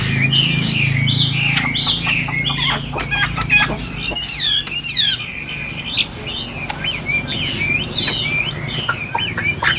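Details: Chinese hwamei kept in a cage, pouring out varied whistled phrases over a low steady hum, with fluttering and rustling from the cage and one loud swooping burst midway.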